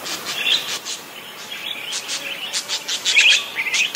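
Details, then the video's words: Fairly faint parakeet twittering, actively singing, made of quick ticking clicks and thin warbled squeaks that grow busier and louder toward the end. "Suara Kicau Burung PARKIT GACOR"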